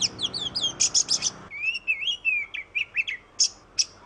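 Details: Oriental magpie-robin (kacer) from Indonesia in a short song burst: harsh, buzzy high notes at first, then a flowing series of bouncing whistles and a few isolated sharp chips.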